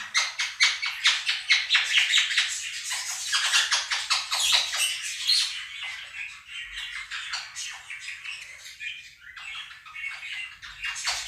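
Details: A pair of household Quaker parrots shouts down recorded budgie song. Coarse squawks repeat about twice per second for several seconds, then thin out into softer chatter and a few later bursts.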